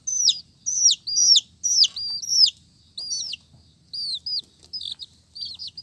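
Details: Colourful chicks peep in a fast run of high, sharp notes, each sliding down steeply, about two per second, with short gaps later on; faint low rumble beneath.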